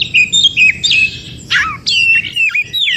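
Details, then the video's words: Oriental magpie-robin recorded in the wild forest, its song used to trigger other magpie-robins to sing: clear whistled notes in short phrases, a harsh downward-sliding burst, then a bright warbled run of rising and falling whistles. "Terapi Kacer macet bunyi.kacer mana pun langsung Respon Degar suara Kacer yg 1 ini SUARA ASLI HUTAN"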